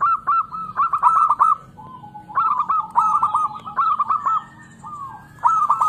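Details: Local zebra dove singing, used as a lure to stir lazy doves into song: rapid stuttering clicks running into rolling, bubbling coo phrases, repeated several times, with other faint birds in the background.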